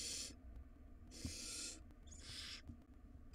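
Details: Wild barn owl nestlings battling over a very large rodent in a nest box. Three short, harsh, breathy screeches follow closely on one another, with a thump between the first two.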